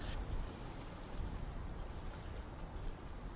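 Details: Steady low rumble of wind and surf with a boat or engine drone along Uruguay's coast, no animal calls heard.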